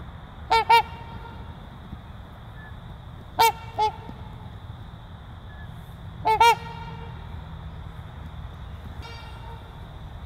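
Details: Trumpeter swans of a breeding pair calling in brassy, trumpet-like honks, mostly in quick doubled pairs about three seconds apart, with a fainter honk near the end, over a constant low hum.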